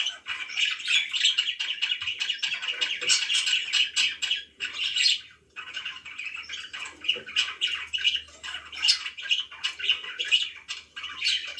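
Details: Pet budgerigar chatter: a dense, unbroken stream of raspy warbles and short squawks, pausing briefly near the middle before resuming just as busily.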